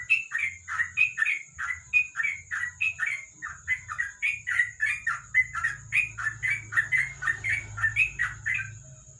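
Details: At night beneath a lamp, a sooty-headed bulbul pours out a continuous rapid string of bubbly, chirpy whistled notes, repeated several times per second throughout, over a steady high-pitched whine and faint low hum.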